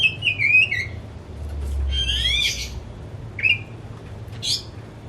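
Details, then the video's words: Caged Oriental magpie-robin in excited song. Sweet descending whistles, then a tangled burst of slurred buzzy notes, and later a sharp upswept note and a harsh chirp, over a faint low hum. "Kicau Kacer Rumahan Emosi Buka Ekor Ngeplong Terus"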